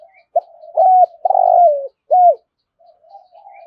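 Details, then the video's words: Thúc gù cooing of a spotted dove in the rumbling thổ rền voice: a clipped hoot, a level coo, a long trembling rolled note drooping downward, then a final arched hoot and soft murmuring. "Tiếng cu gáy thúc gù giọng thổ hay rền rền"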